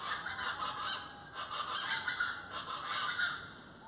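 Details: Plain chachalacas giving coarse, honking, scratchy calls in uneven bursts that rise and fall in loudness, several birds overlapping in a noisy chorus.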